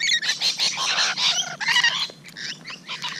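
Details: Morning of 12 June 2017, rainbow lorikeets nearby: dense, harsh, buzzy screeching that fills the first two seconds, then softer scattered squawks.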